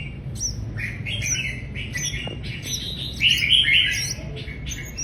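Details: Mrs. Gould's sunbird singing: a quick run of high, thin chirps and twittering notes, with a louder bright trill near the end over a faint low hum.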